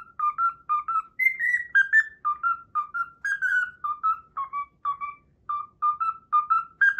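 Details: Cockatiel whistling a tune it learned, the Pythagora Switch opening theme: crisp, clear whistled notes in a quick bouncing rhythm, about two each second, tracing the melody with a brief higher sliding passage early on.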